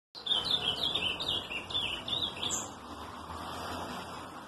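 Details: Ultramarine grosbeak singing a quick warbled phrase of slurred, mostly descending whistled notes lasting about two and a half seconds, followed by a soft hiss of background noise.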